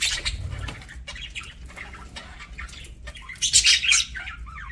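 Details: Pet parakeets during a meal: scratchy, buzzy chirps and chatter in short bursts, with loud broadband rustles, possibly flapping or seed-handling noise, and a steady low background hum.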